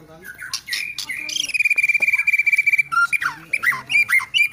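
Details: White-rumped shama singing: a long steady whistle held for over a second with a fast trill, then varied short whistled notes and slurred downward sweeps.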